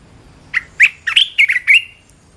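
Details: Red-whiskered bulbul, a caged bird, sings a single lively training phrase of about six loud, liquid, bouncing notes in quick succession, the last one slurred and drawn out.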